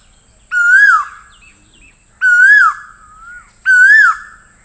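An Asian koel gives three loud, clear, rising-and-falling whistled notes, about one every second and a half, over a steady high hiss.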